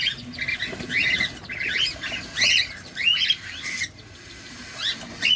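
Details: Cockatiels feeding at close range: scratchy, upward-flicking chirps and squawks in uneven clusters, with a quieter lull near four seconds before a final sharp rising call.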